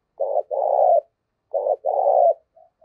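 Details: Spotted dove calling to provoke fighting, used as a decoy: two paired low coos, a short note then a longer rolling coo, given twice about a second and a half apart, with faint soft notes trailing off.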